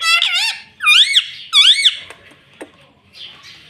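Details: Talking green ringneck parrot, a pet that says "mummy": three shrill, arched, harmonic utterances, then clicks and faint chatter in a small room.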